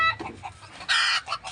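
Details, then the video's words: Native (desi) hens that feed on grass are calling for no clear reason, giving a quick series of nasal clucks that ends in a louder, harsher squawk. "দেশি মুরগি ঘাসটাস খায়। আর এইযে ডাকাডাকি করে"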